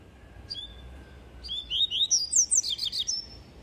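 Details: Papa-capim coleiro, the double-collared seedeater, giving its tui tui song: a few thin whistled lead-in notes, then about ten quick, sweeping high notes in an accelerating, slightly varied run.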